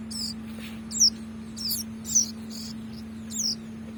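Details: Bar-winged prinia nestling during hand-feeding, uttering sharp, high-pitched squeaky chirps roughly once a second, unevenly spaced, with a constant low hum underneath.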